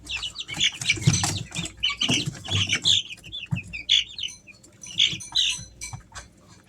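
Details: Three-week-old Easter Egger chicks kept at home in summer, giving high, short peeps in loose overlapping bursts, with scratching and shuffling noises beneath.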